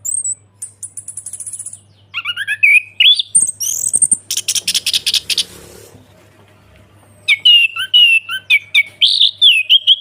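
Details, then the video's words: Orange-headed thrush ngeplong song as a lure for a bird gone quiet: high thin trills, then rising whistles, a harsh noisy burst mid-way, and a closing run of repeated warbled notes, low hum beneath. "ANIS KEMBANG NGEPLONG PANCINGAN TERAPI ANIS KEMBANG MACET BUNYI SEKETIKA LANGSUNG NYAUT DAN GACOR"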